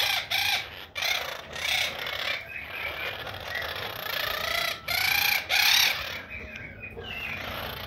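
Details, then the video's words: Pet quaker parrot (monk parakeet) vocalising: loud, harsh, broadband squawks in bursts of about half a second, some with a bright upper band, separated by short pauses, against a quiet room background. "Monk the quaker parrot making noises"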